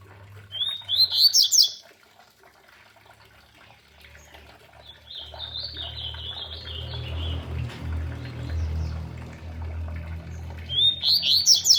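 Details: Double-collared seedeater singing beside a waterfall: short bursts of high, rapid, twittering notes near the start, mid-clip and at the end, over a steady low rumble of falling water.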